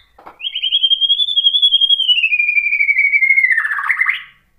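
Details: Provoking song of a white-rumped shama: one sustained, finely trilled whistle rising then slowly falling over about three and a half seconds, ending in a short burst of rapid warbled notes.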